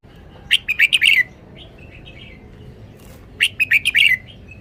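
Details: Caged red-whiskered bulbul displaying its song phrases: two bold runs of bright, bubbly whistled notes about two and a half seconds apart, with softer warbled notes between them and little other sound.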